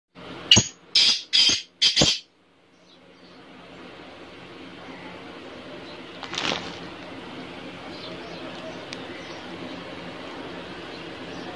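Black francolin gives a loud burst of four harsh, grating notes in quick succession, followed by quiet background hiss and one faint distant note.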